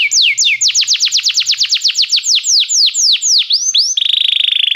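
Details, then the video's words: Belgian canary pouring out a rhythmic chain of falling whistled slurs that gradually slow and lengthen, closing with a fast buzzy trill. "canário belga muito lindo cantando"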